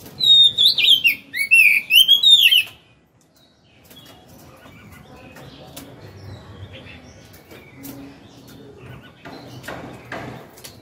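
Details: Caged Oriental magpie-robin, wild-caught and two years in the cage, singing loud looping whistles and rapid warbles for about three seconds, then quiet with faint clicks and room noise.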